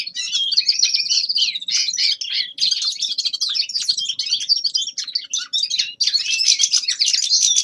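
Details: A young male common linnet (Carduelis cannabina) sings a fast, continuous, high-pitched twittering of mixed trills, chirps and nasal notes without a break.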